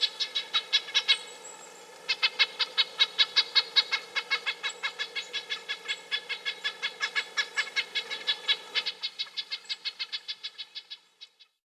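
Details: Red-breasted nuthatch giving a long series of short, nasal, tinny horn-like notes, about two to three per second, briefly pausing near the start and then running on steadily before trailing off; a faint thin high whistle is heard early on.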